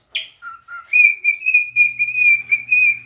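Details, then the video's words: Pet cockatiel singing while dancing and rubbing its tail: a short harsh chirp, then a low whistle, followed by a long series of clear whistled notes held at one steady pitch, repeated about twice a second, with a faint low hum beneath. "Dancing (Rubbing its tail and....) and Singing - Pica the #Cockatiel"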